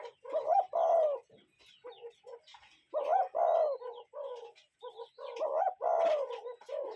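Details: Real cuckoo calling outdoors: a loud two-note hoot, short then long, followed by several softer lower notes, the pattern repeating about every two and a half seconds.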